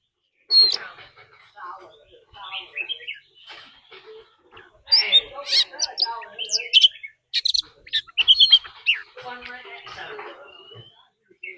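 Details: Oriental magpie-robin, a decoy bird, giving a fighting song meant to provoke other birds, with a wild female's calls: scattered high chirps, short trills and sharp upslurred notes in uneven bursts, some louder flourishes midway, quiet gaps between.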